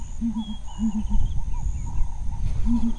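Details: Female Southern Ground Hornbill with blue under the chin, hunting insects in bushveld grassland among impala and wildebeest, booming: deep, hollow hoots in short runs of two or three above a low rumble, with faint higher bird chirps behind.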